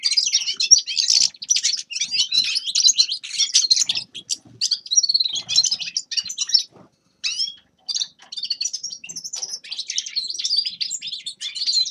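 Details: Grey-crowned goldfinch twittering song in bursts of rapid chirps and jingling trills, interrupted by short silences around seven and eight seconds, with faint rustles underneath.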